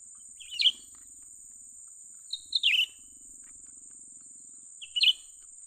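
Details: Young cucak ranting bulbul during trapping-by-luring: three chirpy, tumbling note clusters with a faint low rattling buzz between them and a steady high whine throughout.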